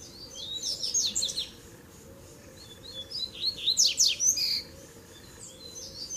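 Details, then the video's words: Double-collared seedeater mixing tui tui, zel zel and mateiro song styles, played to warm up other birds: two bursts of rapid, high, scratchy twittering notes, separated by a quiet pause, over a steady low hum. "Baderna de Coleiro Tui Tui Zel Zel e Mateiro Top Pra Esquentar a Fibra do Seu!!!"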